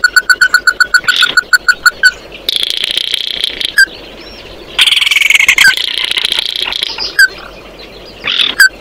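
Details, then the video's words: Oriental white-eye calling its flock: a fast run of loud, evenly spaced clear notes, then dense buzzy chatter broken by single sharp slurred notes. "Tiếng kêu của chim Tí Hỉ, Chim Mắt Đỏ hót gọi bầy"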